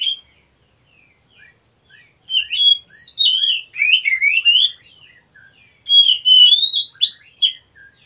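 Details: Wild Oriental magpie-robin song: two loud bursts of varied whistles and rapid slurred notes, separated by quieter chirps. A high, regular cricket-like ticking runs in the background.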